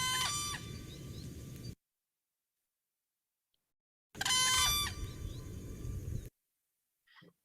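Whooping Crane guard call: two loud, ringing, trumpet-like single-note shouts about four seconds apart, the second bird answering the first, over a low background rumble.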